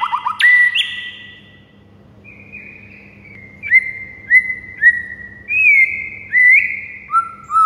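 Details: Morning white-rumped shama song used as a tutor recording: a few sharp notes, a quiet gap, then clear whistles with upward flicks repeated roughly every half second.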